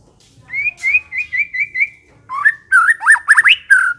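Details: White-rumped shama in full, vigorous ngekek song: a run of five even, clear whistled notes, a short pause, then a lively burst of looping, rising and falling whistles with sharp high accents.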